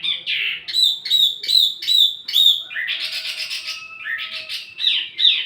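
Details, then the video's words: Wambi mini singing, used to attract and teach other songbirds: a few clear, sharp whistled notes in a row, then a busier buzzy chatter and a final rising squeaky phrase. "wambi mini burung pancingan sekaligus masteran buat tledekan anda"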